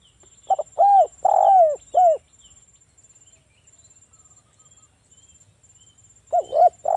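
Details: Spotted dove of local stock, ngalas-style song meant to lure rival doves into answering: one full phrase of stutter plus three low arched coos, about four seconds of near silence with a faint high whine, then the phrase starting again.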